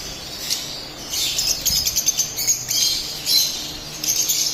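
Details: Split albino lovebirds chirping in short bursts of rapid, shrill, scratchy notes, with brief pauses between the bursts and quiet hiss in the gaps.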